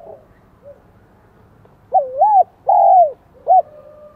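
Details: High-voiced 'giọng son' song of a spotted dove in Vietnam: after quiet low murmurs, one strong three-note phrase of a dipping-and-rising coo, a long steady coo and a short sharp final note.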